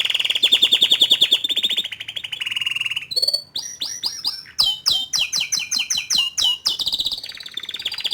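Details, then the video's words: A young male Atlantic canary sings to encourage a juvenile canary to open up and sing; a long rapid trill gives way to a run of separate sharp upslurred notes, then another quick rolling phrase. "Memancing Emosi Kenari Paud Dengan Kicauan Kenari Jantan Muda Agar Cepat Buka Paruh"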